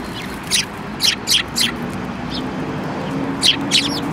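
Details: Short, high sparrow chirps come in a rapid run of four, a pause, then a pair, from a flock featuring a yellow-beaked individual, dated 5 February 2018; low rumbling background.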